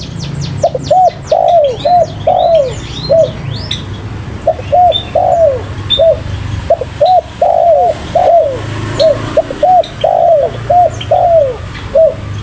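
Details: Spotted dove cooing steadily in repeated phrases about every three seconds, each a run of short coos with a longer falling coo, while other birds chirp and trill at higher pitch.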